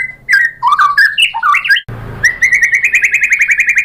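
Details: White-rumped shama song used as a lure to spur other shamas into singing: varied rich whistled phrases jumping up and down, a brief pause, then a rapid steady trill of repeated notes.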